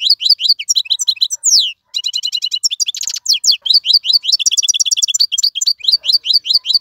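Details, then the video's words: European goldfinch taken from the wild and caged, singing without pause: an almost continuous flow of rapid high twitters, slurred whistles and a short buzzy rattle. "مقنين خلوي يغرد بصوته النظيف, تغريد حسون بري دون توقف"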